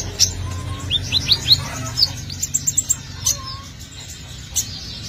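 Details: Sunbird song for luring birds in: a fast series of four high notes sweeping downward, then scattered sharp ticks and chirps, a low whistled note in between, over a quiet steady hum.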